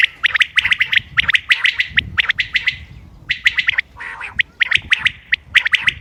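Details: Common quail, 28 May 2025, calling for a hunting recording. Dense strings of quick, sharp notes repeat in clustered bursts. One short pause carries a hoarse rasp before the clipped calling resumes.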